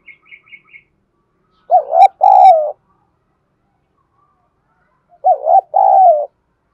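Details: ['Spotted dove decoy bird with a Thổ-style voice, calling and cooing, answering all day. Two deep, hooting two-part coos about three seconds apart, each a short wavering phrase and then a longer one. A few faint high chirps come first.']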